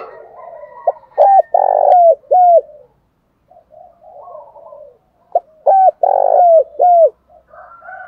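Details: Lure recording of a spotted dove in the Thổ Pha Đồng voice: full cooing phrases of clipped notes swelling to a long rich coo, repeated about four seconds apart, with low soft muttering between phrases.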